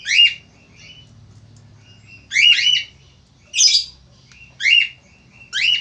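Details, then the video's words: Male Australian finch singing actively: bright, harsh chirps repeated roughly once a second, with short, thin, softer notes in between. "FALK AUSTRALIA JANTAN GACOR"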